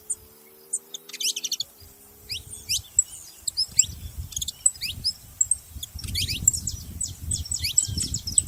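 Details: Saffron finch chirping in scattered bursts of thin, high rising notes, starting after a low humming tone and continuing over a rumbling background.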